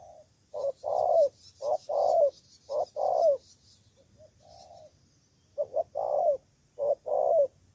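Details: Decoy spotted dove in Cà Mau, Vietnam, responding to rivals in trapping. It delivers about five clear two-note coos, short then long with a dropping end, in a fairly regular rhythm, with a quieter soft note midway.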